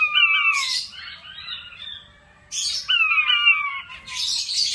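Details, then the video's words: A king quail gives two bursts of high, descending whistled notes, each run sliding downward, with harsh scratchy bursts of noise between them. "Sound of king quail/puyuh batu"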